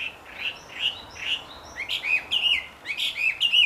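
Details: Wambi in the wild with a loud, melodious song: several soft rounded notes against hissing background, then sharper high whistled slurs in a quick run.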